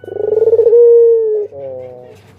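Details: A single long coo from a pet Barbary dove in a group of adults and chicks: a stuttering, pulsed opening swells into a sustained, slightly falling mellow tone, then drops to a softer buzzy tail.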